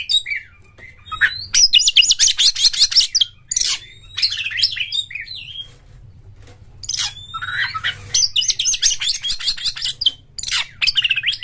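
Oriental magpie-robin singing bursts of rich, varied whistles, trills and chattering notes, some phrases rising sharply, with brief pauses between, over a low hum.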